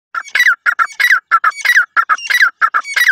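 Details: Grey francolin from Sindh giving loud, harsh, ringing calls in a fast rhythmic pattern, with paired short notes followed by a longer squealing note, repeated over and over.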